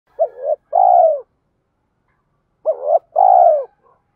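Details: Spotted dove lure call used to provoke captive males and train newly caught birds to sing and fight. Two low cooing phrases about 2.4 seconds apart, each a short stuttering double note followed by a longer, drawn-out falling coo.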